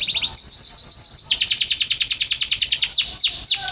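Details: Champion canary delivering a fast, even trill of repeated downslurred whistles, about eight per second, after a brief steady high note, closing with a few slower, deeper sweeping notes.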